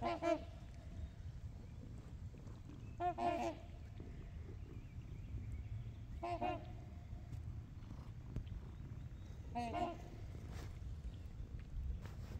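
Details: Trumpeter swans among geese on Horseshoe Lake: four scattered short brassy honks spaced about three seconds apart, softer and more distant, against a continuous low hum.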